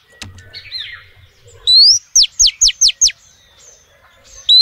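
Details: Female oriental magpie-robin calling to males: a few soft warbled notes, then a rising whistle and five evenly spaced, loud down-slurred notes, ending with another rising whistle.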